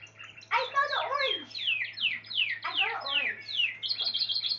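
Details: Spanish Timbrado canary delivering rapid trilled sequences of descending sweeps, rich in lower overtones, closing with a quick high rattle; a faint hum runs underneath.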